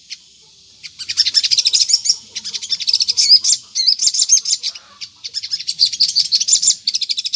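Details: After a brief quiet start, a Crimson Sunbird (sogon) launches into nonstop thin, high trills and twitters with squeaky whistled flourishes, in a lure meant to make other sogon reply.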